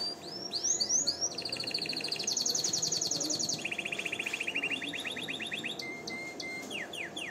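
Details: Canary song for training and rousing females to mate: sweeping notes open into a series of rapid rolled trills at changing pitches, a short flat note, and quick falling sweeps at the close.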